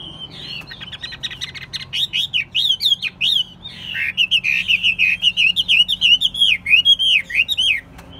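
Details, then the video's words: Caged Chinese hwamei, a bird kept for singing and fighting contests, pours out a long rapid song of looping, wavering whistles mixed with sharp clicks, nearly continuous for about seven seconds. "Hót tốt, Đấu tốt. Siêng mỏ, giọng hay"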